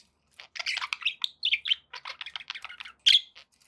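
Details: Pet budgerigars warble steadily, a rapid string of clipped chirps and scratchy notes that ends in one loud, sharp squeak.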